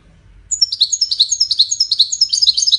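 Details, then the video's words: Wedani goldfinch in lively song: a fast run of bright, high-pitched twittered notes, about four to five per second, starting after a short quiet lead-in and continuing to the end. "طائر الحسون الويداني"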